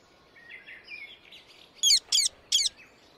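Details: Indian ringneck parakeet calling in the wild: soft twittering chatter first, then three loud, harsh, rasping screeches spaced about a third of a second apart.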